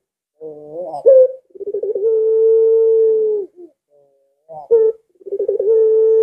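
A collared dove gives a low, rolling coo that settles into a long, steady hum lasting over a second. After a pause, it repeats the phrase.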